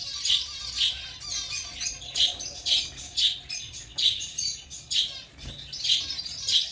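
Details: African lovebirds giving high, piercing squeaky chirps at irregular intervals, some short and sharp, others rougher chatters, with a faint rustling background.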